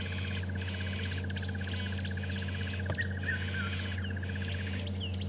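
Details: Burchell's starlings alarm calling from a tree, cause unknown, on a morning safari drive at Djuma and Arathusa game reserves, 19 January 2015: harsh, grating churrs in bursts with brief whistles, over engine rumble and rapid ticking buzz.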